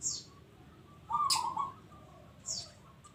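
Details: Zebra dove of local stock in active song: a single rolling, quavering coo mid-clip, framed by brief high-pitched chirps from a second bird before and after.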